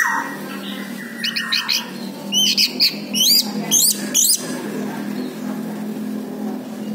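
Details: Orange-headed thrush singing on a lure track for birds that will not sing: a falling slur, then five or six high arched whistled notes in a loose series about half a second apart, over a low hum.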